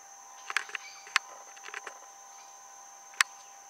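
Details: A female Black-crowned Tityra in Brazil gives short, dry, clicking notes: a quick cluster early on, one more at about a second, then a lone click near the end, over a steady insect drone.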